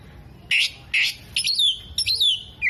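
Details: Oriental magpie-robin in mimicry song copying hummingbird, bearded bird and lovebird: two loud harsh chirps followed by longer sweeping whistled phrases that slide downward, then another harsh note.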